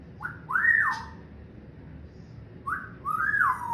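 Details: Pet parrot whistling: paired rising-then-falling swooping notes, two quick whistles, a pause of about two seconds, then two more, in a quiet room with low hum.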